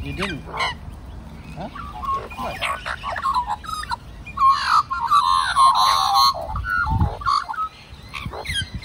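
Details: Magpies in a large multi-family group carol together for the old man who feeds them. Clicks and brief calls lead into a loud, sustained run of overlapping warbled, wavering notes, then a man says "very good".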